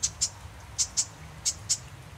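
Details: Marsh wren calls: six short, sharp, high ticking notes given in loose pairs over about two seconds, separated by brief silences, over a quiet low hum.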